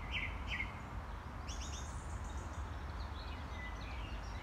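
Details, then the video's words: Song thrush singing alongside a blackcap in square de la Butte du Chapeau Rouge, Paris: short, bright phrases, one note pair repeated twice, then a higher whistled run, over a steady low rumble of wind or distant traffic. "Duo Grive musicienne -Fauvette à tête noire"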